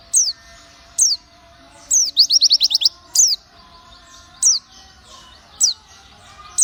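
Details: White-eye, called pleci locally, repeating single sharp high downslurred notes about once a second, broken by one quick burst of rapid descending notes.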